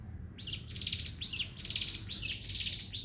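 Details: Javan sunbird singing in the ngebren style, a rapid run of high, buzzy phrases, each ending in a downward-hooked note, repeated about once a second after a brief quiet start.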